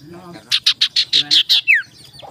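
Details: Sirtu singing in the morning as a lure recording meant to provoke rivals: a quick series of about eight buzzy, rasping high notes, then a sharp falling whistle, with faint low speech underneath.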